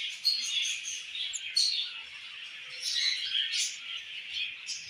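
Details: Budgerigar mother feeding her baby: dense high chirps and scratchy twittering, with a few sharp louder notes near the start and a brighter burst of chatter around the third second.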